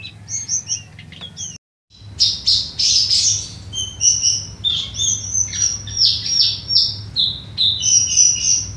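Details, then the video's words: Jongkangan singing in full voice, used as a master song for training brown cingcoang: rapid high chirps, whistled notes and buzzy trills, delivered about three times a second after a brief pause near the start, over a low background hum. "Jongkangan Gacor isian tembakan!"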